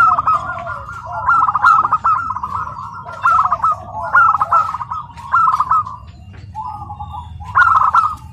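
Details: At a zebra dove contest at PLN Karawang, Indonesia, a tame house-kept local bird sings repeated rolling coo phrases with brief gaps, amid low background murmur and other faint dove notes.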